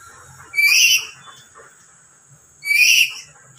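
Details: Parrot call that starts soft and then suddenly turns loud, repeated over and over, which provokes other parrots nearby to answer; two harsh, loud screeches about two seconds apart over faint background noise.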